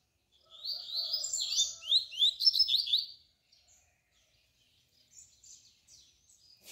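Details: Double-collared seedeater tui-tui tutor song for teaching young birds, one long phrase of quick repeated upslurred notes rising stepwise, followed by quiet distant high chirps and a faint click at the end.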